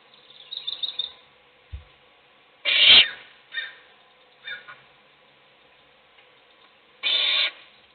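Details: Owl at feeding time, an adult feeding one chick while the other chicks sleep; several harsh, broadband hissing bursts, two long loud ones around three and seven seconds, with softer rasps between.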